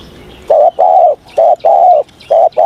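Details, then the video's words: Spotted dove cooing in the morning as voice training, a few loud, deep, hollow coos, each short note followed by a longer drawn-out one. "Tiếng Chim Cu Gáy// luyện giọng cu gáy buổi sáng"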